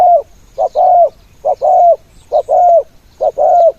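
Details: Spotted dove used as a ground decoy to lure other doves, cooing in the throwing style: a short coo followed by a longer, slightly falling coo, the pair repeated about every 0.9 seconds, with faint background insect hum.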